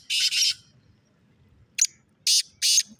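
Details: Black francolin calling: two loud, harsh, grating notes close together, a pause, then a short rasping note and two more strong scratchy notes, over a soft low rumble.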